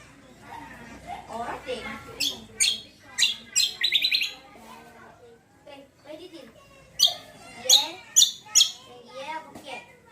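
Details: Lure song of a greater green leafbird (cucak kombo), meant to draw replies from other birds: varied bursts of high, sharp chirps and lower warbled notes, with brief pauses and faint voice-like murmurs between phrases.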